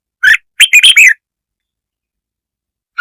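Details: Red-whiskered bulbul singing to provoke other birds, a quick run of about four sharp chirped notes in the first second, then long silence before one more note at the end.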